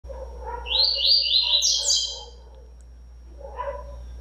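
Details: Captive rusty-collared seedeater that had been cold and not singing, now singing a quick run of high, bright warbled notes for about two seconds before falling quiet, with a person talking softly underneath.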